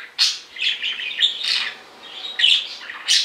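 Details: Two pet male budgerigars, both born June 2019 and kept separated indoors: short, bright chirps and squawky notes in irregular bursts about every half second.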